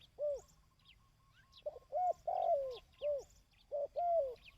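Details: Repeated dove coos for training decoy birds: rounded, falling notes, some paired with a short lead-in note, coming about every second. Soft high-pitched twitters are heard in the background.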